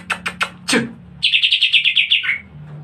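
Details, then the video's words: Greater green leafbird, caged songbird in lively aggressive fighting style: a few sharp clicks and a downward sweep, then a rapid rolling trill of about a dozen bright repeated notes over a low hum. "Cucak Ijo Gacor Gaya Bertarung Lincah dan Agresif"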